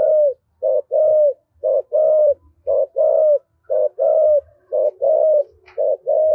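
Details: A spotted dove of the deep-voiced 'thổ' type, a decoy bird quick to coo, gives low, mellow coos about once a second, mixing clipped notes with longer, slightly falling ones in a steady rhythm.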